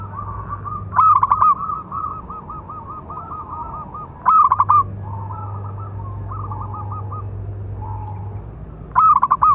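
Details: Perkutut, a local zebra dove, calling to provoke other doves: strong stuttering note clusters about every four seconds, trailing into softer rolling coo trills, over an intermittent low electrical hum.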